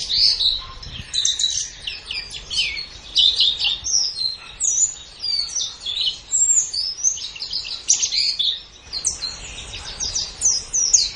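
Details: White-eye known locally as pleci, recorded as 'gacor' masteran for cage-bird training: a long, busy stream of high twittering and chattering notes, broken by a short lull about nine seconds in.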